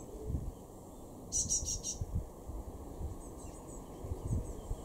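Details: Great tit in a garden in Weener, East Frisia, northwest Germany, June 2021, giving a quick run of four thin, very high notes, then fainter high notes later, over a steady low rumble; Great tit.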